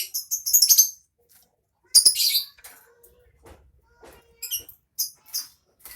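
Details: Lovebird giving its ngekek song: bursts of sharp, high-pitched chattering trills, a long one at the start, another near the middle, then shorter clipped bursts toward the end, separated by near-silent gaps with faint soft clicks.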